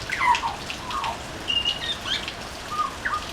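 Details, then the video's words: Butcherbird song on a veranda: a busy string of whistled notes, some gliding down, some held level, interspersed with quick chirping notes over background hiss. "Butcher Bird singing on our veranda"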